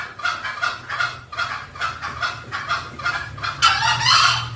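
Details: Green junglefowl calling, used as a lure to bring the birds in: rhythmic short clucks about twice per second, ending in a louder, harsher, drawn-out burst.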